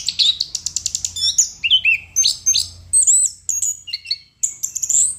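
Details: Chestnut-capped thrush, called anis kembang, in full lively song: rapid high chirps and ticks, then varied whistled slurs and rising and falling phrases, high-pitched throughout, with a faint low hum beneath.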